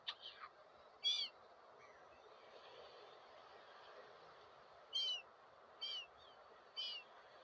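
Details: Several gulls or one gull repeating: short harmonic, downslurred cries, one early and a quick series of three later, with faint softer calls and steady ambient hiss.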